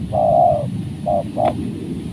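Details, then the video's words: Spotted dove used as a trained decoy to lure wild spotted doves, which came down successfully for the first time. A long, steady mid-pitched coo is followed by two short coos, over a low background rumble. "Mikat Tekukur,,pikat ajaran..pertama kalinya di turunin tekukur liar..."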